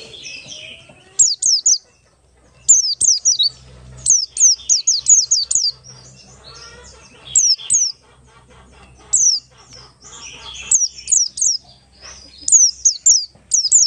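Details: Buxtoni Oriental white-eye in ngalas song, used as a lure to start other white-eyes singing. Repeated clusters of three or four piercing, high, falling whistles, interspersed with softer chatter, with a quiet low hum underneath.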